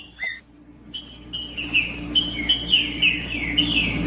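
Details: Green-winged saltator song meant to warm up a caged bird: after two short whistles, a run of repeated bright slurred notes, about three per second, growing louder, over a low continuous hum.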